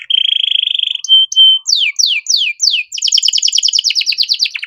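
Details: Singing canary in the cengkok mewah style, offered as master material for training young songbirds. A fast steady trill gives way to two brief whistles, then rapid downward sweeps and a dense repeated chattering trill.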